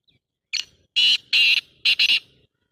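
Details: Black francolin calling loudly: a short scratchy intro note, two sustained harsh grating notes, then a quick paired note, against quiet surroundings.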